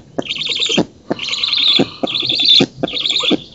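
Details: Black storks at an oak nest in Poland on 19 June 2017, with the female feeding and an intruder being driven off: four high, rapid chattering bursts, each under a second, with soft knocks and thumps beneath.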